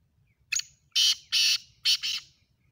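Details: A single black francolin phrase in chakri style, one short clipped note followed by four loud, harsh, buzzy notes in quick succession, the last two paired closely together.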